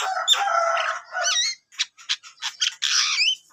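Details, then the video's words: Javan myna in full song: a loud, rough, grating phrase, then wavering whistles and a string of short, clipped notes ending in harsh chatter. "burung jalak kebo gacor total"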